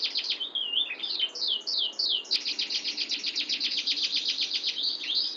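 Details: Canary singing a clear, tight rolling song: high slurred and downward-sweeping whistles at first, then from about two seconds a fast, steady, pulsing trill, ending with a brief slur.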